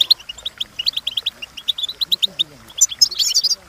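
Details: Training song of a European goldfinch: quick, evenly spaced tinkling chirps forming a steady twitter, ending in a denser burst of high jumbled notes.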